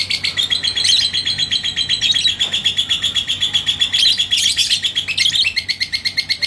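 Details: Lovebird of the labet koneng (yellow pied) variety from Indonesia in full 'ngekek' song meant to draw out a rival: a rapid, steady, shrill trill of chattering notes, about four per second, with a few harsher squeaky bursts mixed in.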